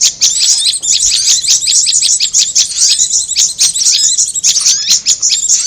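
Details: Dense high chattering from a prinia and korlap bird-lure track: fast, overlapping scratchy chips delivered without a break.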